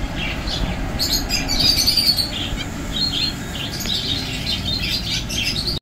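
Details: An adult pair of Double-barred (owl) finches in Thoothukudi gives thin, high chirps and tweets in quick irregular bursts over a steady low rumble of background noise.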